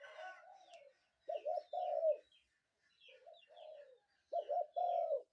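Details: In the morning a spotted dove repeats its hoarse coo phrase three times, each a stuttering double note then a longer drawn coo, while small birds twitter faintly in the background.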